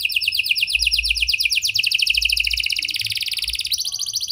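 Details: Singing canary, 'gacor' style with prenjak- and lovebird-type phrasing, meant to coax a non-singing canary to sing: a long unbroken chain of quick high trills, shifting pitch and rhythm between phrases.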